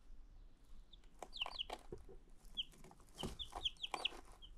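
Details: New domestic chicks in Eggenberg, Graz, giving scattered thin, high peeps, short whistled notes with quick downward slurs, among soft rustling and clattering sounds.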